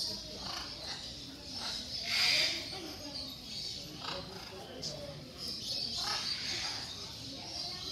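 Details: Military macaws kept captive at Mysore Zoo, India, giving loud, harsh, broadband squawks in irregular bursts, the strongest near the two-second mark, with scattered softer screeches against a steady hiss of background noise.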